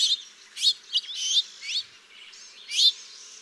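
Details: A House Finch fledgling, likely from a second or third brood at backyard feeders, gives short buzzy rising "zwir" notes, five in three and a half seconds, high and slightly burry, much like adult call notes.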